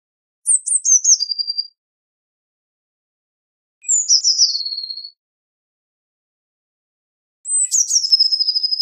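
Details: Eurasian blue tit singing three phrases spaced about three seconds apart, each beginning with high thin notes and stepping down into a fast, ringing trill, the final one longest.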